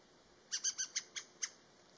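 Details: A Naumann's thrush flushing out gives six short, harsh, squeaky call notes in under a second, the first four close together, against a quiet background.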